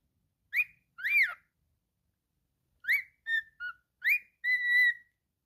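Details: Pet cockatiel whistling a short tune: clear rising-falling whistles near the same pitch, given in short bursts separated by silences, with a final held, steady whistle. No other sounds.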